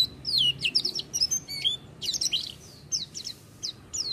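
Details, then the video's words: Oriental white-eye song, "gacor" style: bright, high twittering notes that slide downward, delivered in quick clusters with short gaps, then spaced single downslurred whistles toward the close. "pleci buka paruh tanpa doping gacor dor"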